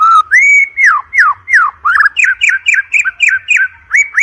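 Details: A white-rumped shama sings a training lure for competition birds: long clear whistle, then a steady series of falling slurred whistles, about three per second, rich with overtones.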